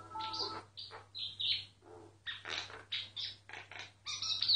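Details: Myna singing, recorded discreetly without movement so it would keep going; a varied sequence of clear whistles, squeaks and harsh buzzy notes in short bursts separated by brief pauses, over a faint low steady hum.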